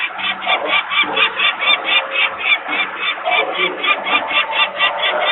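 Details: Screaming peregrine falcon parents walk around near their nest in Włocławek, Poland, on 23 May 2022, as workers make noise; young on the landing. Continuous chain of harsh, quick kek-like notes, roughly four per second, throughout.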